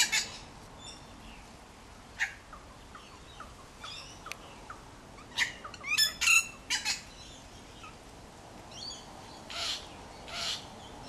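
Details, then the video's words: Wattlebirds mobbing an unwanted kookaburra in a backyard, their nest about two metres away: harsh, rasping, chattering calls in irregular bursts, loudest around the middle, over a quiet background hiss. "This is what happens when the Wattlebirds don't want a Kookaburra in the backyard."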